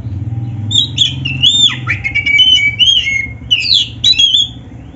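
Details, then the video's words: Black-breasted oriental magpie-robin in energetic training song full of fill-in variations: a continuous flow of warbled whistles and quick downward slurs over a low droning background. "SUARA BURUNG KACER MASTERAN GACOR ‼️Full Variasi isian MEWAH"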